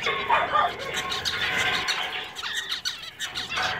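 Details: Several zebra finches in a pet shop, including singing males, chatter together in a dense, busy chorus of nasal "meep" beeping notes and quick buzzy trills, overlapping without pause.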